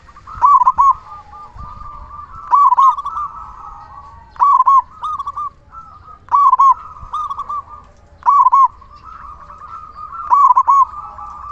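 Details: Zebra dove with a big local voice, used as a lure to stir other doves into song, delivering six rolling, stuttering coo phrases, each evenly spaced roughly two seconds apart, over a continuous low hum.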